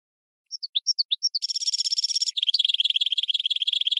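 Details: Hybrid of goldfinch and red canary singing a tutor song for training birds: several separate high twittering notes, then a dense buzzy trill and a fast rolling rattle, very clean with no other sounds.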